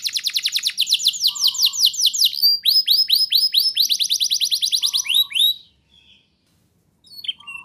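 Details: Training song from a canary to prompt young birds to sing: long bright trills of repeated notes changing pace several times, a low whistled tone underneath, then silence and a few chirps.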